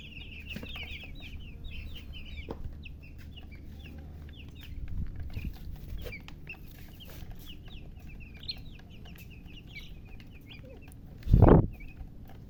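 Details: Baby chickens only just born chirp in a continuous thin chatter of short high peeps; a soft low thump around midway and a loud knock near the end break through the steady hum.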